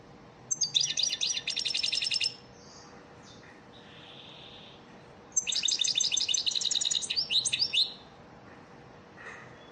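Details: European goldfinch of the elmacık type giving a training song for caged birds: two extended phrases of rapid, high, sparkling twitters and trills, separated by a quiet pause with a soft buzzy note.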